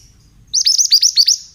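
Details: Male pied bushchat (mantenan), mountain type, used as a lure recording: a fast burst of about six sharp, high chirps, each sliding down at the end, delivered in roughly a second after brief quiet.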